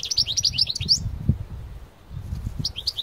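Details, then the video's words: Parva-type European goldfinch singing strongly out in nature: a fast, bright series of repeated chirping twitters, a brief silence, then a few more high notes, with low wind rumble. "تغريد حسون بارفا قوة نار"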